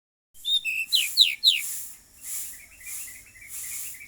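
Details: Pied bushchat song: a few sharp descending high notes, then a quick trill of short twittering notes repeated several times, with a hissing background.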